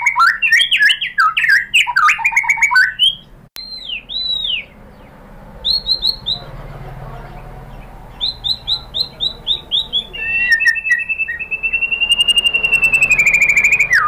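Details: Lure song of a white-rumped shama for getting other shamas to reply: a dense tumble of whistled notes, then spaced pairs of rising slurs after a pause, finishing with a long fast trill of even repeated notes.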